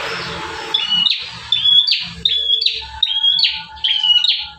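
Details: An actively singing bar-winged prinia gives one of five song variations: loud level whistles, each ending in a buzzy rasping burst, repeated about every half second in an even, driving rhythm.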